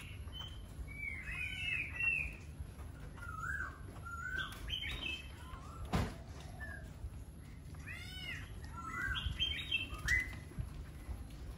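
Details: Laughingthrush song: a lively run of varied, slurred whistled phrases, some rising and some falling, delivered in quick clusters with brief pauses, over a low background rumble.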